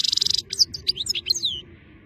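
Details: Goldfinch song outdoors in nice weather, opening with a rapid buzzy rattle, then a quick string of liquid, twittering chirps and slurred whistles, fading out after under two seconds.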